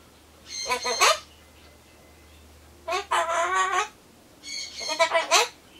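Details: Solomons corella monologue while waiting for pumpkin, a pet bird copying farewell phrases such as see you. Three loud bursts of gravelly, harmonic speech-like syllables, the middle one longer and sustained, with a faint low hum behind.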